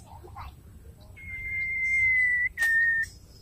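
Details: Female White-rumped shama calling to a male, giving one long, even, flat whistle followed after a brief gap by a shorter, slightly lower whistled note; faint soft sounds and a sharp click around it.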